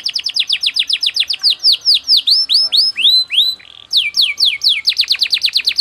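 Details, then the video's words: Canary tutoring song: loud repeated down-swept chirps, a series of slower curling whistles, a brief quiet break, then more sweeping notes and a fast trill. "MASTERAN KENARI PALING DICARI‼️irama lagu cengkok speed rapat"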